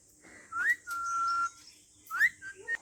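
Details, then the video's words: Pet parrot, said to be swearing, giving clear whistled notes: a rising slur, a long steady tone, then more short rising whistles, with faint background hiss. "पोपट गाळी घालता वाट्टा तुमका"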